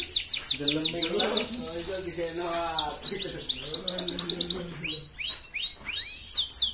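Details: Red canary singing a master track meant to stimulate breeding in hens, a long run of rapid high sweeping notes repeated several times a second, with lower buzzy harmonic phrases underneath in the first half.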